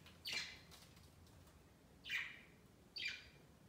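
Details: Caged pet budgerigars climbing a Christmas tree beside their cage on Christmas Day; three loud, scratchy chirps, each falling in pitch, spaced about a second apart over quiet background.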